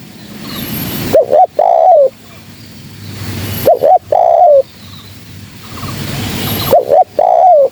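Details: Trapping-lure recording of a spotted dove: three phrases about three seconds apart, each two brief rising coos followed by a longer, slightly wavering falling coo, over faint background hiss.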